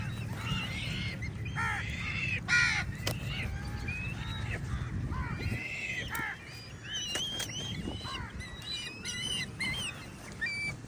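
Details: Many crows calling while fighting with eagles over food outdoors; dense, overlapping harsh arched caws throughout, with thin whistled calls from other birds layered in the second half and a low steady rumble underneath.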